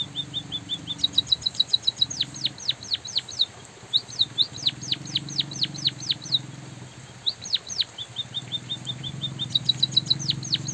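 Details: Munia, apparently a white-headed munia, gives rapid, thin high chirps and short downslurred notes in quick bursts with natural pauses, over a steady hiss of drizzling rain and a low background hum.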